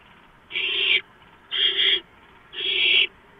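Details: Late at night on 2 April 2015, a barn owl at the nest during a gopher delivery gives three long, raspy hissing bursts at steady one-second intervals against a quiet background.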